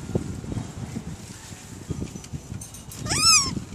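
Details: Newly acquired pet rainbow lorikeets said to be talking: one clear harmonic squawk, rising then falling, late in the recording, over a low murmur of household background noise.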